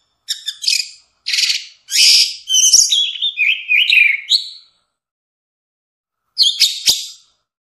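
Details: Orange-headed thrush song for tutoring caged birds: harsh, buzzy and scratchy notes lead into a tumbling sequence of slurred whistles, then a long silence and a short final burst of rough chirps.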